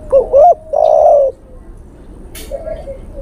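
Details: Male spotted dove calling a female, as a lure: one phrase of a wavering double note and a long hoarse coo, then a brief click and faint, low cooing trailing away.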